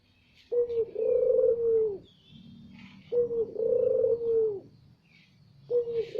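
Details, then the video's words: Barbary dove giving a loud lure call used to attract other doves: a brief clipped note, then a long steady rolling coo, repeated three times with pauses of about a second. "Pancingan burung puter || Suara lantang"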